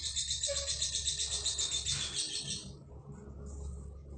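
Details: Lovebird chattering in a fast, steady series of high, sharp chirps, about four a second. The chirps run for roughly two and a half seconds, then stop abruptly, over a constant low hum.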